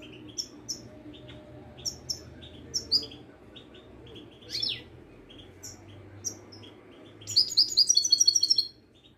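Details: Widani goldfinch from Morocco performing the mchach style: scattered sharp high chips spaced a second or so apart over a low room hum, then a rapid run of ringing repeated notes.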